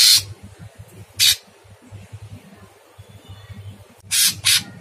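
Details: Sooty-headed bulbul in rough, harsh masteran: two isolated scratchy bursts about a second apart, a quiet gap, then a closing pair of rasping notes, over a faint low hum.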